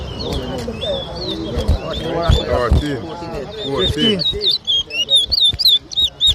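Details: Arrival Day towa towa whistling contest, Diamond, Guyana, 2023: men talk loudly at first, then clear, looping whistled phrases take over, repeated in quick bursts near the end.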